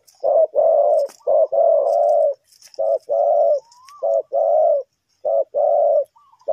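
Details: Spotted dove luring wild birds toward a trap, Ninh Thuận, Vietnam: groups of short and longer deep coos, a thin rising whistle once in a pause, and faint high chirps behind.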